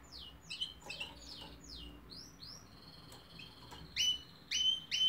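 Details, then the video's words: Canary singing: a run of quick, high downward-sweeping whistles repeated several times a second, a brief steady tone, then louder clear whistled notes with sharp onsets near the end; faint low background hum. "chant de canari magnifique تغريد طائر كناري رائع"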